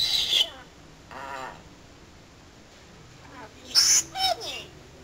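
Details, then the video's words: Talking pet parrot, said to entertain and talk all day long, making a harmonic speech-like utterance followed by loud, shrill high squawk bursts near the end, in a quiet indoor setting. "BEST TALKING PARROT IN THE WORLD"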